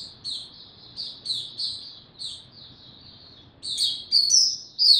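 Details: High, spaced chirps from an Oriental white-eye singing slow and easy, single notes at first, then louder, fuller warbled phrases toward the end.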